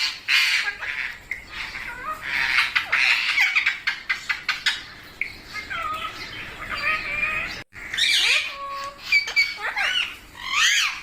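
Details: Parrot chattering: a fast run of short clipped notes and squeaks, then varied whistled and gliding calls with a few bright chirps, continuing almost without pause.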